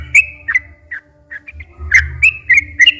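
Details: Sooty-headed bulbul song meant to draw captive bulbuls into singing. Scattered whistled notes come in short bursts separated by brief pauses, then quicken toward the end against a low background hum.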